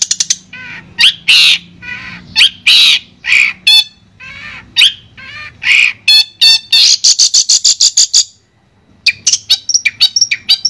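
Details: Madura long-tailed shrike, clear masteran song. A varied medley of harsh squawks, short whistles and chatters builds to a long, even buzzy trill, then pauses before a series of quick sharp notes.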